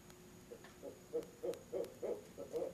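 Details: Barred owl hoot fest at a nest box, mate joining in, 7 pm in October: eight or so low hoots rising in strength, with the final notes doubled as the two birds overlap.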